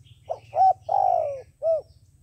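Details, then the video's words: Decoy dove meant to lure wild doves for trappers: a soft lead-in note, a rounded coo, a long sliding coo dropping in pitch, then one short closing coo; low hum behind. "Tiến cu mồi gáy chuẩn, gọi là đếnh"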